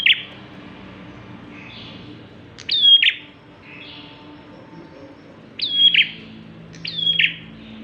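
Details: Bar-winged prinia song used as a lure for other birds: sharp high whistled phrases with a quick upward flick then a steady level whistle, given in bursts a few seconds apart, softer notes between, faint low hum behind.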